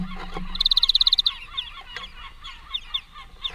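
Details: Greenfinch family feeding together at a workplace: a fast high trill of about a dozen even notes lasting under a second, followed by scattered short chirps, over a steady low mechanical hum and clatter.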